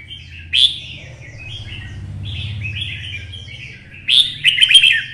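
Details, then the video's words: Twisted-voice red-whiskered bulbul stimulated to sing for fighting: sharp high note, softer warbles, then a loud chattering warbled burst at the end, over low background hum. "CHÀO MÀO | Giọng xoắn - Kích chim xổ bọng căng lửa hót đấu"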